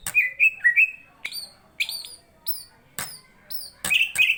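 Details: Greater green leafbird singing in fighting mode: short whistled slurred notes alternating with sharp high clicks and falling squeaky phrases, delivered in bursts with brief pauses.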